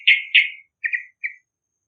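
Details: A lively yellow-vented bulbul whose voice serves to lure other birds: two loud harsh chattering bursts, then two softer, shorter notes and a final brief one, with silence between.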